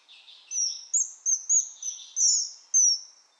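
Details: Common kingfisher giving a series of shrill, high, thin whistled notes, some short and sharp, others drawn out, over a quiet background.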